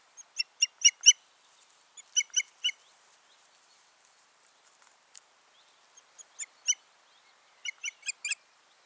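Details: Osprey pair at the nest in Finland, 14 June 2019, following a failed nesting; several series of sharp, high piping whistles, three to five notes each, with short quiet breaks between the bursts.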